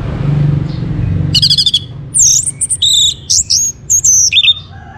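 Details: Orange-headed thrush singing, used as a lure to prompt other birds to sing: after a quiet start, a buzzy rattled burst, then a quick series of clear, high whistled and slurred notes, some rising and some falling, over a low background hum.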